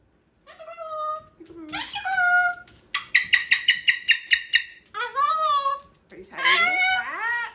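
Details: Pet male Moluccan cockatoo indoors, chewing and playing with a new box, gives rising harmonic squawks, then a rapid run of about eight harsh pulsed notes, followed by more drawn-out rising calls. Room quiet apart from the bird.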